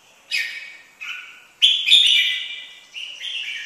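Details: Red-whiskered bulbul song of short, bright whistled phrases, one long warbled note in the middle and quicker chirping notes around it, in a quiet setting.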